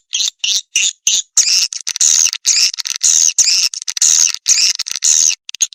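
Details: Swiftlet calls used to attract swiftlets: dense bursts of high, buzzy twittering chirps, each lasting a fraction of a second to half a second, in rapid series separated by brief silences, with no other sounds.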